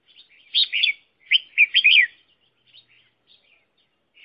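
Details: Red-whiskered bulbul used as a decoy bird for trapping wild bulbuls, giving several bright, warbled chirping phrases in quick bursts in the first two seconds, then fainter scattered notes and quiet gaps.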